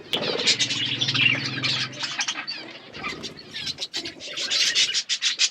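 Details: Budgie flock at food, producing busy high twittering and short chirps throughout, with a low soft cooing in the first two seconds.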